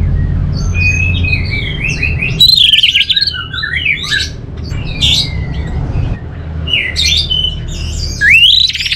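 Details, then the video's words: Song of a kept orange-headed thrush from North Bali, Singaraja: a rich, varied run of loud whistled and chattering phrases, with swooping notes and short pauses, continuing throughout over a low droning hum. "Suara ANIS MERAH"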